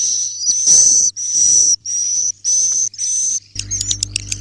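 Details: Swiftlet giving roosting calls: six high, sibilant buzzy notes with a whistled core, each under a second, then a burst of sharp chirps and clicks over a louder low hum at the end.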